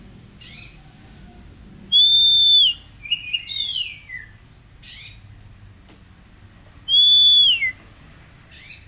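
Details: Oriental magpie-robin song used as therapy so untrained birds start singing: loud sustained whistled notes with slight downturned ends, separated by harsh rasps and quick descending chattered phrases, repeated twice.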